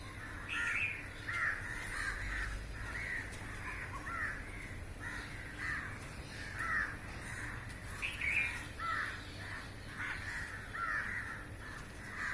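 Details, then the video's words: Crows in large numbers, lined along a roof and catching flying insects, keep up a long chorus of hoarse overlapping caws, many birds calling in quick succession. "烏鴉叫聲音效 😱屋頂上排成一列好嚇人! Crows Calling and Feeding"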